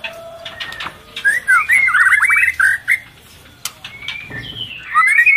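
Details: Female white-rumped shama in breeding condition, feeding its chick, calling to stimulate males: quick warbled, slurred phrases around the middle, then a rising whistled phrase at the end, with scattered clicks between.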